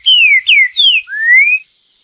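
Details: A Green-winged saltator gives four loud, clear whistled notes, three falling slurs then a longer rising one, within about a second and a half: the "Bom Dia Seu Chico Boi" song type prized by bird keepers.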